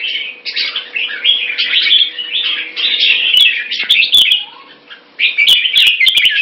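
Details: Singapore-kept red-whiskered bulbul in a fast 'beewing' sparring display: a continuous rapid chattering warble of tightly packed notes, broken by a brief pause, with sharp clicks scattered through.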